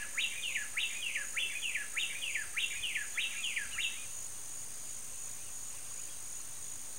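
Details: Female snail kite giving a run of about seven harsh, repeated notes in quick succession over four seconds, then falling silent, against a steady high insect hum.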